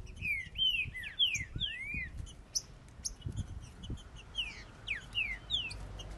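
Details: Green-winged saltators, males in a singing contest: overlapping clear whistled phrases of slurred rising and falling notes from more than one bird, with faint high chips and low background rumble.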